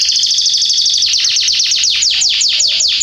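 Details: Canary singing in a garden in September 2020: a fast even trill that slows into a sequence of sharp, descending sweeping notes repeated about four per second.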